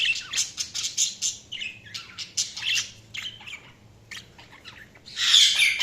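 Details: Budgies chirping in a lively, continuous stream of short, sharp tweets and scratchy notes several per second, ending with a loud rasping screech.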